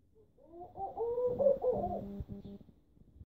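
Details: Laughing dove from central Istanbul, Turkey: a soft rolling coo phrase of several rounded, tumbling notes, followed by a string of quieter low pulsed notes and light background rumble.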